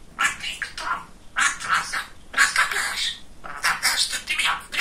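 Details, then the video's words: Talking male budgerigar, a very talkative pet. Four clusters of raspy, murmured speech-like syllables with short gaps, in a quiet room. "Самый Болтливый Попугайчик"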